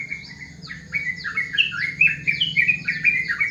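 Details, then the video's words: Yellow-vented bulbul calling in the morning: a bubbly, chattering run of quick liquid notes that jump up and down in pitch, growing louder after the first second, with a steady low hum beneath. "Suara panggilan burung Trucukan di pagi hari"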